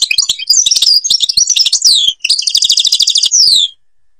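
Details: Algerian European goldfinch from the Babors forest delivering a continuous rapid twittering song, high liquid notes and quick slurs running into a fast rattling trill that ends in a downslurred note.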